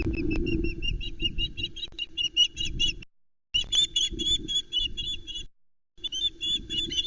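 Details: Osprey chicks on the Loch Arkaig nest, 19 July 2020, during a trout delivery while the three youngsters squabble over the fish. Steady runs of thin, piping chirps repeat quickly in several bursts over a low rumbling background.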